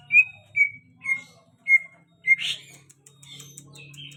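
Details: A very tame greater green leafbird gives five clear whistled notes, each falling slightly, spaced about half a second apart. A rough burst follows, then soft twittering and a short whistle over a steady low hum.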